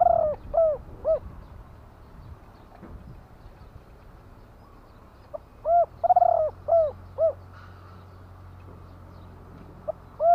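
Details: Spotted dove singing the 'kuk-ku' song style from Thailand. Several soft arched coos open the clip. After a quiet gap comes a phrase with a rolling buzzy note and three rounded coos, over a low droning hum.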